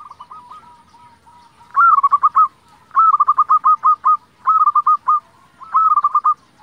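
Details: Zebra dove of local stock singing loudly, used to provoke and excite other zebra doves to reply. Four rapid, rhythmic rolling phrases, each opening on a higher note and breaking into quick clipped coos, with soft cooing between phrases.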